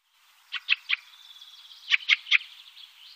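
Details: Fieldfare at Wittlich in 2018: two groups of three harsh, clipped chack notes about a second and a half apart, over a faint hiss.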